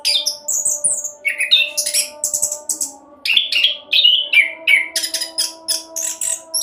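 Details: Fast, varied song of an orange-headed thrush used as a lure for other birds: high chirps, buzzy bursts and clear whistles tumbling together in quick succession, about three notes a second, with a low background hum.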